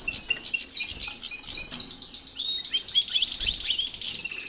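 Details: European goldfinches housed with canaries in an aviary before pairing: a run of quick repeated descending chirps, then a thin sustained whistle and a fluttering high trill, with chatter throughout.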